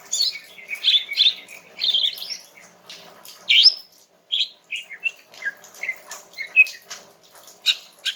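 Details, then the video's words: Female greater green leafbird, kept bird, singing in a relaxed style to prompt a young male to answer; varied chirps and short whistled notes at high pitch, irregular and fairly busy, with faint background hum. "Cucak Ijo Jantan Muda bakalan NYAUT dengan kicau SANTAI Cucak Ijo Betina ini"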